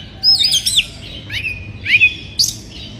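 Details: Short burst of white-rumped shama song from a bird in breeding condition, provoking rivals: a quick warbled high phrase, then two rising-and-falling whistles and a final sharp note.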